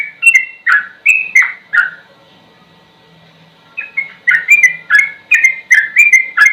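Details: Sooty-headed bulbul (trucukan) slow song with fast rapid-fire phrases; short downslurred whistled notes in quick succession, a pause of about two seconds with a faint low hum, then another dense run of repeated notes.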